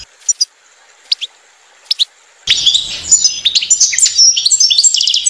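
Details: Nest-building female European goldfinch: a few isolated sharp chips, then after a pause a sudden burst of rich, rapid twittering with buzzy and liquid notes until the end.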